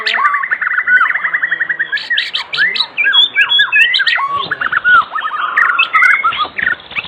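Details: White-rumped shama, an actively singing bird recorded in the afternoon as a lure to make other shamas sing; a loud, varied song of rapid whistled phrases, chirps and rising and falling slurred notes, delivered continuously.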